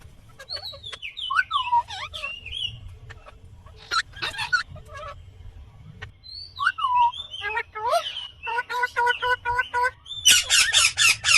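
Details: Indian green ringneck parakeet giving natural calls: varied whistled notes that slide and fall, then a series of harmonic, evenly repeated notes, ending in a burst of rapid high chirps; faint low hum underneath.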